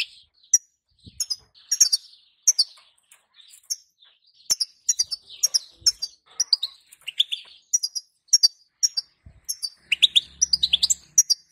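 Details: Female European goldfinch calls used to make a male sing, a dense run of bright, high twittering chirps and short trills, repeated rapidly with small pauses, a faint low hum near the end.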